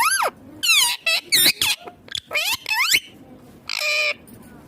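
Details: Ringneck green parrot talking in a rapid string of loud, shrill, speech-like syllables, with sharp rising and falling sweeps and short gaps between bursts, ending in a longer nasal note.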